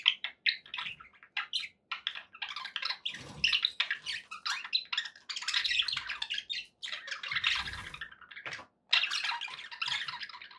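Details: Pet budgerigars in continuous chattering warble, dense scratchy squawks and chirps running almost without break, a couple of short pauses near the end.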